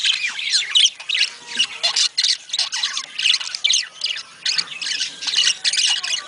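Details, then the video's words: Budgerigar sound to get budgies breeding: rhythmic bursts of harsh, buzzy squawks mixed with twittering warbles, pulsing in short bouts roughly every half second. "صوت يحفز البادجي للتزاوج"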